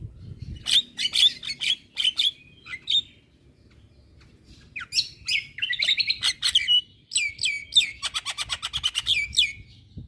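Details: Javan myna, a caged songbird, chattering continuously: scratchy whistled notes and harsh squeaks in irregular bursts, a short pause, then rapid rattling series of sharp clicks and whistles.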